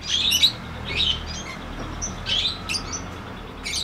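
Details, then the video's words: Lovebird giving long 'ngekek' chatter with ticking notes: high, rapid, scratchy trilled bursts in short spells about a second apart, over a steady background hiss. "LOVEBIRD NGETIK NGEKEK PANJANG"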